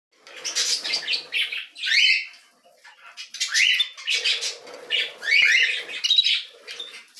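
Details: Canary chicks begging while being fed: loud, harsh, raspy squeals in overlapping bursts with brief rising notes, pausing and starting again, over a low rustling buzz.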